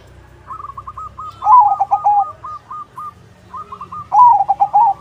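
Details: Crossbred zebra dove singing actively, used as a lure to get other zebra doves to answer. Two bubbly phrases of quick, rolling coos, each starting with a softer trill and swelling into louder warbled notes, with a faint low hum underneath.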